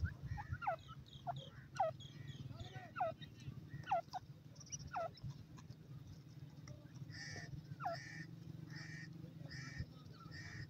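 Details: Female francolin gives short, downward-sliding calls spaced about a second apart. Later, a regular pulsing higher-pitched sound repeats steadily, all over a constant low background hum.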